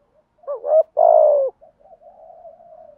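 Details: Cooing from a decoy spotted dove trained every day to draw in wild doves: a wavering hoot, a long loud coo, then a trail of faint, drawn-out low notes.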